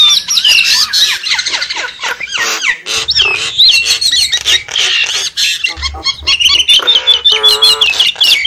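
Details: Javan myna lure calling: loud harsh chattering and squawking, then a trilled run of rising and falling whistles and a buzzy nasal note near the end.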